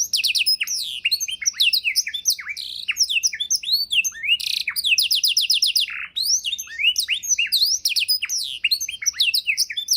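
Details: Canary singing a rich 'isian' fill-in song meant as a tutor recording for training other songbirds; dense, varied whistled sweeps and chirps, with quick rolling trills at about four and five seconds and a brief pause near six seconds.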